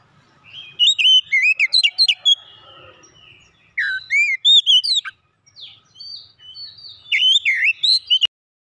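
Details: White-rumped shama singing varied phrases of loud, sharp whistles and chirps that sweep up and down, delivered in three separate bursts with brief quiet gaps between them.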